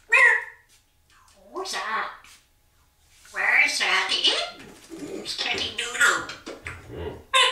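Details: Indoor African grey parrot, one of several kept as pets, chattering on a Saturday morning during the owner's shower: a brief high squawk-like note, then long, dense, speech-like babbling with bright upper tones.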